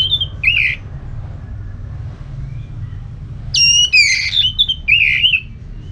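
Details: Orange-headed thrush song used to stimulate another bird: a brief whistled note, a pause, then a varied burst of high sweeping whistles and quick slurred notes, over low steady background noise.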